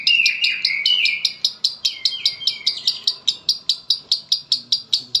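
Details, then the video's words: Konslet song from a lovebird in Palembang: a grating warble at the start gives way to a steady train of crisp clicks, roughly two to three per second-half, continuing to the end. "LOVEBIRD KONSLET"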